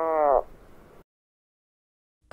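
A cormorant gives a short, hoarse croak lasting under half a second, then silence, with the start of another sound at the very end.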